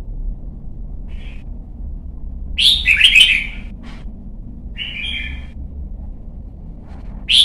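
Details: Young red-whiskered bulbul practising competition song gives a brief soft note, then a loud chattering warble, later a two-part whistle and a final clear note, separated by pauses.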